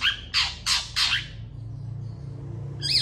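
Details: Long-tailed shrike in fierce song, answered by other shrikes. Three loud, harsh squawks come in quick succession, then a quiet gap and the start of a high, warbling note, all over a low hum.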